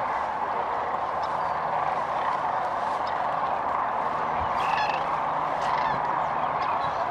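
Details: Migrating sandhill cranes gathered near Kearney, Nebraska, stopping to rest and feed on their way north in late February; many birds give a steady wall of rattling, overlapping calls, with a few brief higher notes midway.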